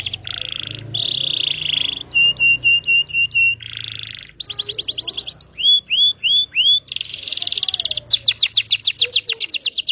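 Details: Local Indonesian canary in lure song meant to prompt young or silent canaries to sing: harsh buzzy bursts, a clipped repeated note, a few slurred downward whistles, then a fast rattling trill of sharp notes.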